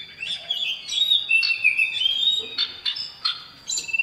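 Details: Male common iora in full voice calling to a female, giving quick repeated whistles and twittering notes, roughly three per second and unevenly spaced.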